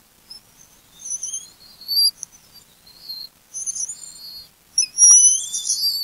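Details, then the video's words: Bald eagles at a nest with eaglets on a golden morning, the male alerting after an intruder followed him carrying a fish head, the female joining in; high, thin, squealing whistled calls in bursts, rising and falling, calling together at the end. "intruder alert"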